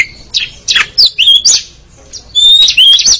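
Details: White-rumped shama (kacer) singing as a training recording, with rich, varied phrases: clear whistled notes, rising and falling slurs, and harsh chattering bursts in quick succession.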